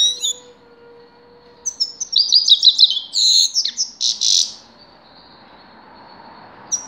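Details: Grey-crowned goldfinch singing: a burst of rapid, high twittering and buzzy trilled notes lasting about three seconds, after a few thin whistles, with a faint steady low hum underneath.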